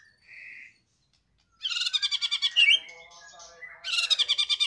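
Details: Medan-type white-rumped shama in captivity, singing in full loud form. A short buzzy note, a pause, then loud rapid trills of repeated clipped notes, a sweeping whistle, and another fast rattling trill.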